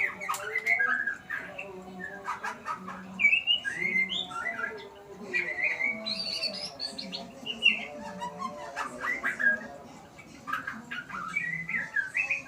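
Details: White-rumped shama learning its song: scattered whistled phrases, quick trills and sharp clicking notes come in bursts with pauses between, while a low, wavering hum continues throughout.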